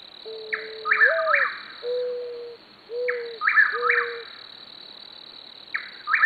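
Chuck-will's-widow repeats a quick three-part whistled phrase about every two and a half seconds. Low mourning dove coos and a steady cricket drone sound beneath it.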